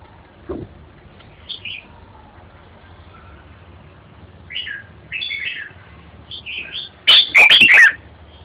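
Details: Red-whiskered bulbul delivering scattered short, chirpy whistled phrases that build to a loud, fast, tumbling warble with crackling clicks toward the close.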